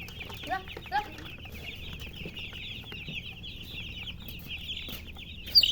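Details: Baby chickens peeping as a crowd: a dense, continuous wash of short, high chirps overlapping without pause, with a couple of lower, separate calls near the start and a sharp bright note at the end.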